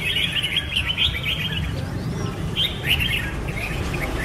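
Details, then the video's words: Red-whiskered bulbul song in short bursts of rapid, lilting warbles, a busy phrase at first, then a pause, then a few clipped chirpy phrases, over a constant low background hum. "Birds Red-whiskered bulbul (Pycnonotus jocosus) Chants Extreme Peak"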